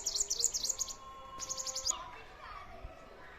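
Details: Sparrow in a garden giving a fast series of high, sharp chirps for about two seconds, then fading away.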